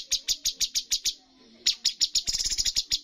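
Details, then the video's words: Cucak cungkok bulbul in competition, giving seven evenly spaced sharp high chips, a pause, then slower notes that quicken into a stuttering rattle. "cucak cungkok full tembakan poin tertinggi dalam perlombaan burung"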